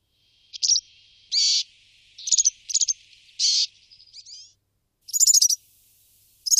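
A Brambling gives a series of high notes: short, harsh, nasal buzzes mixed with quick chirpy clusters, spaced irregularly with brief gaps of quiet between them.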